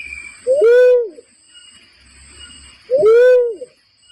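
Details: Lure call of a barred cuckoo-dove used for bird trapping: two loud, mellow hooting calls about two and a half seconds apart, each a brief upward lead-in followed by a drawn-out, slightly falling tone, over faint background hiss.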